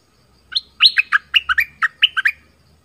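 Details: A southern Thai decoy bulbul sings one continuous phrase of about ten bright, bouncing notes that alternate high and low in a quick, even rhythm.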